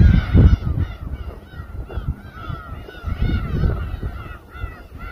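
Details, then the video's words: Gulls chorus over a boat at Samgilpo harbour in Seosan, South Chungcheong, Korea, while raw fish is sliced on deck. They give repeated nasal, drawn-out mewing cries over a heavy low rumble of engine and water noise. "회뜨는 선상 갈매기 합창"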